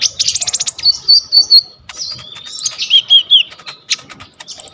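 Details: Training song from a lively kolibri ninja (purple-throated sunbird), phone-recorded: fast ticking rattle opening, then thin sustained whistles sliding down, more chips and a closing series of very high squeaks.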